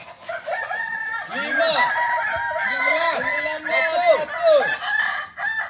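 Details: Several Kokok balenggek roosters at a joint practice gathering in Solok, crowing in overlapping bouts of stepped, wavering notes that rise and fall in pitch, with crows repeating back to back throughout.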